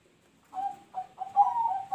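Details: Zebra dove song in the noklak nekung style, a series of four short, clear, mellow coos at a steady pitch, the last rising into a longer, fuller note.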